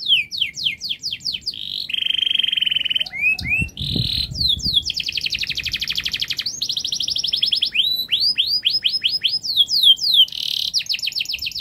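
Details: Canary in long, rapid, tightly packed song used to lure young canaries into singing: quick downslurred series, a steady buzzy trill, swooping whistles and fast rattles running continuously, with faint low thumps in the background.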